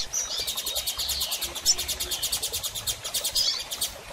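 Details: Female double-collared seedeater calling a lot, meant to encourage a male to begin singing after moult; a fast steady train of crisp ticking pulses, about eight per second, over faint high chirps.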